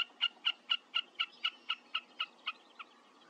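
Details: Wilson's snipe song: a steady series of about a dozen sharp, clipped two-tone notes, roughly four each second, evenly spaced and fading slightly at the end over a quiet background.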